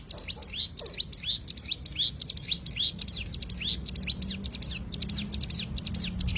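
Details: Machine-gun-like cigun tembakan song meant for training songbirds: high, thin, slurred notes delivered in rapid series with tiny gaps, steady in pace across the whole stretch.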